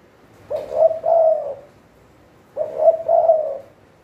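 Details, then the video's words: Spotted dove kept as a trapping decoy, uttering two soft cooing phrases, each a short note followed by a longer steady coo, two seconds apart over a quiet low background. "เสียงนกเขาใหญ่ เจ้ามดแดง นกต่อมือซ้าย"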